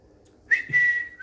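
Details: Pet Indian green ringneck parrot on a bed gives a steady, level whistle that starts with a short rise and fades, with a new note beginning at the end.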